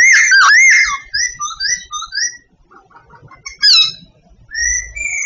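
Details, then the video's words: Sooty babbler from Vietnam singing loud, slurred whistled phrases with a swooping opening, then a quick run of short rising notes, a brief pause, and a sharp downward-sliding whistle before more steady high notes. "Singing Sooty babbler . The best bird song."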